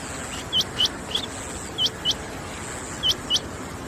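A female rain quail gives sharp, high, hooked chips, mostly in quick pairs about a second apart, over a steady high hiss.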